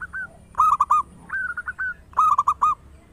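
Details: Loud local zebra dove singing, used as a lure to encourage quick singing. Bursts of four or five rolling, sharply clipped coos alternate with a softer, rising-then-falling coo phrase.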